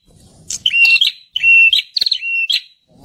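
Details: Loud prinia song meant as a lure for wild birds: long high whistled notes punctuated by rapid sharp chips and buzzy flourishes, delivered almost continuously with faint low background sound.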